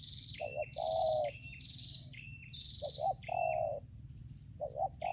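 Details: Lampung spotted dove (tekukur), a decoy facing a wild bird in tarik akar selang nguku style. Paired low coos recur among continuous high whistles from another bird, with light background hiss.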